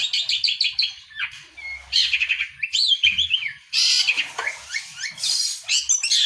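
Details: Long-tailed shrike singing hard: chirpy phrases and a wavering whistle, broken by loud harsh noisy bursts, the whole sequence high-pitched and restless.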